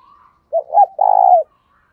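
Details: Spotted dove used as a lure, cooing to attract wild birds in gáy and thúc styles: a single loud phrase of a short coo, a rising coo and a long vibrating final coo, clear and close.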